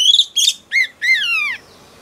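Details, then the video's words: Female oriental magpie-robin, wild-caught, singing to provoke males: a few rough, harsher notes, then two lower, falling slurred whistles, the last long and drooping. "Choè than mái bổi lên giọng hót kích trống cực chất"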